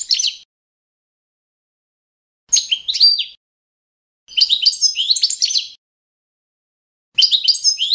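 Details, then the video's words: Balkan European goldfinch (Carduelis carduelis balcanica) singing a competition-standard song used for training young goldfinches: short bursts of bright, high twittering with rapid buzzy trills, separated by silent gaps of about two seconds. "CD za skolovanje štiglića Carduelis balcanica- goldfinch song"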